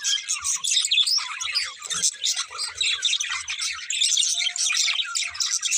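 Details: Pair of budgerigars chirping: dense, continuous chatter of scratchy high warbles and quick tweets overlapping throughout, with a faint steady low tone late on and a few soft low knocks.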